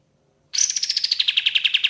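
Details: Lure recording of an ashy tailorbird: after a short silence, a quick trill of ringing notes begins high and slides slowly downward, the notes growing more separate and emphatic toward the end.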